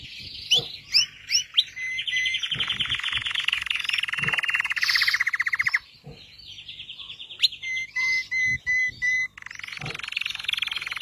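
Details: Red Belgian canary song mixing sharp chirps, a long rapid trill, and a row of level whistled notes, with a faint low background hum throughout.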